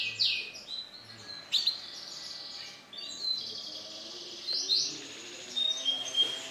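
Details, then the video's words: Lemon-coloured male canary singing in bursts, with buzzy rolling trills and brief clear whistles separated by short pauses. "CANARY JANTAN WARNA LEMON CERAH"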